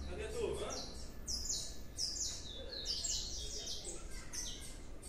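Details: Young blue-black grassquit, a large juvenile, giving a series of short, high, sharp chirps repeated roughly every half second, some with brief rising and falling sweeps, over a low background hum.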